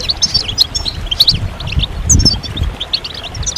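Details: European goldfinch group song for stimulating birds during moult: scattered bright chips and short tinkling phrases come in separate bursts, sparser than a full chorus, over a low rumbling background.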